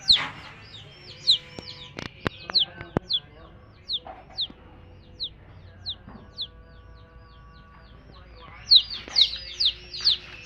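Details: Baby chicks with their hen give scattered high, falling peeps, sparse in the middle and bunching into a quick cluster near the end, mixed with sharp clicks and knocks.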